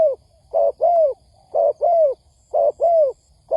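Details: Lure call of a spotted dove, played to excite wild doves for trapping: three pairs of deep, rounded coos, a brief note then a longer downward-slurred one, evenly spaced about a second apart.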